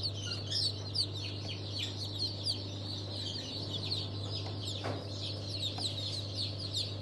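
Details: Newly hatched chicks from a mixed hatch dated 27 March 2023, including Legbar, İspenç and Rahibe breeds. A dense chorus of high, downslurred peeps runs continuously over a steady low mechanical hum.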